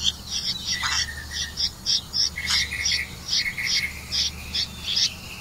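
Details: Red-vented bulbul bringing crickets to its young: irregular high chirps mixed with repeated lower two-part notes, a steady faint hum in the background.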